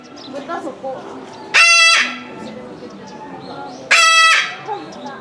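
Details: Captive Moluccan cockatoo at Omiya Park Small Zoo, Japan, recorded December 2017, calling constantly. Two powerful, harsh screeches sound nearly 2.5 seconds apart, with soft human voices in the background.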